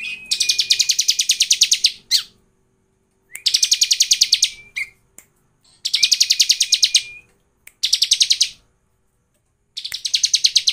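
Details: Lure song of the bar-winged prinia for prompting birds to sing, delivered as dense buzzing trills of quickly repeated high notes lasting about 1.5 seconds, each opening with a level whistle, repeated after short gaps.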